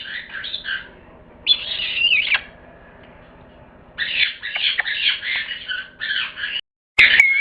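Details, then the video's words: Parrot giving harsh, raspy squawks in several bursts of about a second each, separated by quiet pauses, with a sharp click near the end. "Animals sounds: bear, cat, dog, parrot, ducklings."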